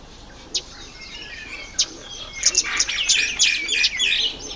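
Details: Red bishop in breeding season, spring months of October and November. A few isolated ticks lead into a rapid, buzzy, sizzling chatter of high notes that builds and runs to the end.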